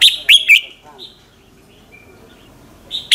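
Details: Red-whiskered bulbul singing in the morning as a lure: a phrase of three sharp, downslurred whistles, then near silence, with a new note starting at the very end.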